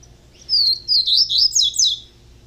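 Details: Young caged double-collared seedeater singing a short phrase of five bright, high whistled notes that slide up and down, delivered in quick bursts in a quiet room.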